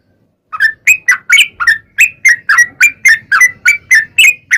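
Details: After a brief silence, a sooty-headed bulbul bursts into fast whistled song used to lure bulbuls into singing, lively notes rising and falling in a steady chattering run.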